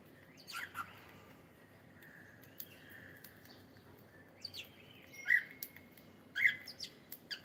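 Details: Pet cockatiel singing: a few scattered bright chirps and short whistled notes around two seconds apart, one long thin steady whistle, over a quiet background hiss.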